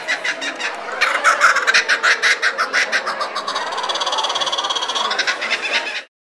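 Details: Kookaburra laughing: a long run of harsh, rhythmic notes that starts hesitantly, builds in strength after the first second, then pours out in a fast, steady cackle for about five seconds before stopping abruptly.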